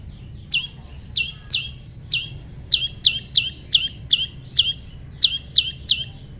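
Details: Prinia in natural pairing, calling clearly: around fifteen crisp, high, downward-flicking chirps, often doubled or tripled in quick bursts, with faint softer chirps behind and a quiet background.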